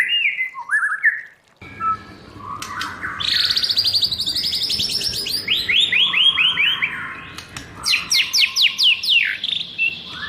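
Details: White-rumped shama singing in a wild voice used as a training song: a rising whistled phrase, then long rapid rattling trills and sharp repeated high notes over a steady low background hum.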